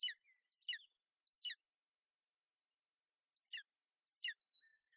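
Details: At a Bucovina nest on 28 May 2021, a female golden eagle shields her chick from bad weather. Shrill downward-sweeping yelps come in a quick group of three, then a pause, then two more.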